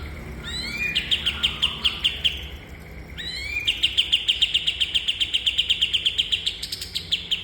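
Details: Bulbul, a cage bird, used as a master song for training other cage birds: rapid trains of sharp, even chirps, each burst opened by a few upswept notes, repeated many times in two long runs. Faint background hiss.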